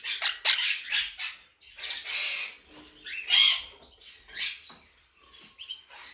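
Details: Raspy, scratchy calls from a blue mutation monk parakeet, coming in irregular bursts, with one louder shriek near the middle and quieter chatter between.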